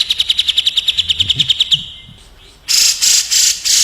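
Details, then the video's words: Caged cucak jenggot in a rapid tembak exchange with a kapas tembak: a fast, even rattle of sharp chips for nearly two seconds, a lull, then loud broadband bursts. "TREK SUARA SALING TEMBAK CUCAK JENGGOT VS KAPAS TEMBAK BESET ROLL SPEED EDAN"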